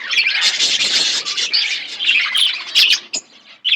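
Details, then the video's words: Budgerigars eating food, chirping in continuous scratchy, high warbling chatter from several birds, ending with sharp clicks and a brief near-silent gap before more chirps. "Beautiful budgies chirping sounds birds eating food"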